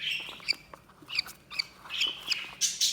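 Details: Budgerigars chirping: short sharp chirps and squawky notes at irregular intervals, high-pitched and scratchy, with quiet gaps between bursts.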